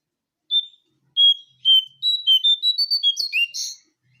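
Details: Brown-throated sunbird lure call used to attract birds: a clean series of high whistled notes, a few spaced single notes then a quick run of short rising and falling whistles ending in a buzzier burst, no background noise.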